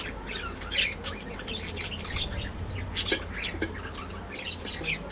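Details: Colony of parakeets (budgies) kept for breeding, busy in the morning: continuous mix of harsh squawks and quick bright chirps from many birds overlapping, steady low rumble underneath.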